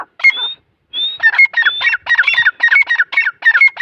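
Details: Grey francolin chicks from Taunsa: a few lone whistled notes, then a quick rhythmic chain of harsh squawks with bright high overtones.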